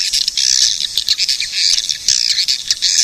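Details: Swiftlet calls: a dense, continuous high twittering of shrill chirps and squeaks with brief sharper bursts, no other sounds.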